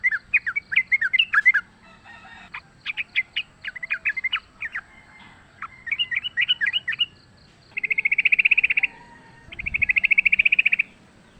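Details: Wild sooty-headed bulbul fighting, a lure recording: jumbled chattering and warbling phrases, then two dense buzzy trills near the end, with low rumbling noise underneath.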